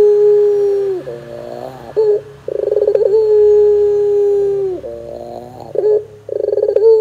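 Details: Lure recording of a Barbary dove, played so that young birds answer quickly. Long, level, low drawn-out coos alternate with bursts of fast stuttering laugh-like notes, repeated several times.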